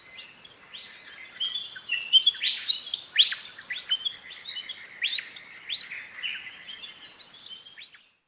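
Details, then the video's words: Dawn chorus in Outback Australia with willie wagtails singing in the dark across the landscape, neighbours counter-singing the same local dialect song; dense bursts of high chirpy, squeaky notes for about seven seconds, fading out at the end. "is a dawn chorus from Outback Australia and if you listen you can hear Willie wagtails across the landscape"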